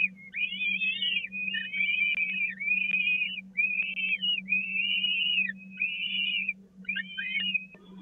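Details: Peregrine falcon chicks at a nest at the Catharinakerk, 16 April 2019, the brood crowding toward the feeding spot while the smallest is passed over. A rapid run of loud, wailing, slightly rising and falling calls, nearly continuous, over a steady low hum.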